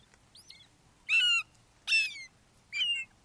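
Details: Father Red-shouldered hawk bringing a frog to a fledgling at a Wake Forest nest, morning of 29 May 2023; a faint high note followed by three loud, rasping, down-slurred screams spaced under a second apart.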